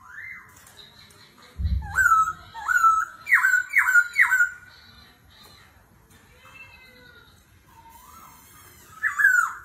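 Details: Laughingthrush competing in song with forest voice and continual voice changes: a series of loud ringing notes, each sliding downward, repeated roughly every half second, with a low thump early and softer phrases after.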